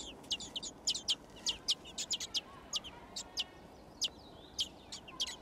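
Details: Begging chorus from six thrush chicks in a garden nest during feeding: thin, high, sharp squeaks at an uneven pace, roughly one or two per second, some doubled.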